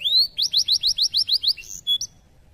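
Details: Canary song: a rising whistled note, then eight fast, evenly repeated bright notes, ending in two short whistles.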